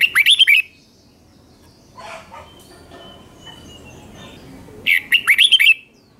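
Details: Red-whiskered bulbul song in the Thai doubled style, used to teach young birds: a brief run of bright looping whistles, a quiet gap with faint background sounds, then a matching run of whistles.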